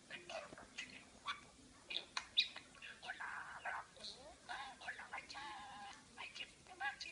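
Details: 8 A talking pet parakeet chatters nonstop in fast, scratchy, speech-like bursts, mixing warbles, clicks and brief high squeaks, with quick syllables tumbling over one another.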